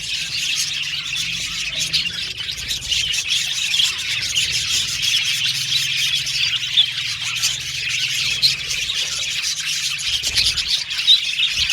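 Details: Budgerigar colony in an aviary, many Australian budgies chattering at once: a dense, continuous wash of high chirps and warbles with no pauses, a few sharper squeaks poking out near the end.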